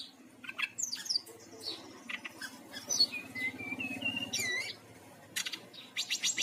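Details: Song of a Bali brown-chested jungle flycatcher used as a singing lure: high sweeping whistles and a short run of rising notes, then scratchy bursts, with a faint low rumble underneath.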